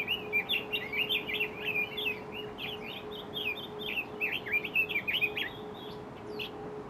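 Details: Red-billed leiothrix, a designated invasive alien species, calling at Mount Kanuki in Numazu, Shizuoka, Japan: a quick, uneven run of short, bright chirping notes with a few higher ticks, and a faint steady hum behind.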